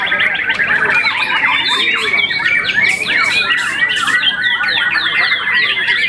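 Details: Young contest-champion white-rumped shama, moulted once, pours out a lively medley of descending slurred whistles, harsh chatters and crisp clicks in quick succession.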